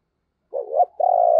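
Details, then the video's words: Spotted dove kept as a decoy, calling to get other doves cooing: a quavering double coo followed by a long, smooth, level hollow note, close and clear with no background. "Chim Cu Mồi Thúc Và Gáy Gọi Kích Bổi Nhanh Gáy"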